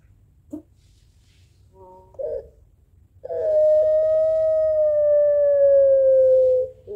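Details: Barbary dove of the puter pelung type calling back and forth to a rival: two short soft notes, then one long, steady, drawn-out tonal coo that sags slightly in pitch over about three seconds.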